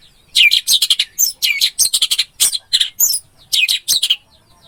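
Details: Orange-headed thrush (anis merah) masteran recording: a rapid run of loud, sharp chattering and squeaky notes in short bursts, densely packed with brief gaps, high-pitched throughout.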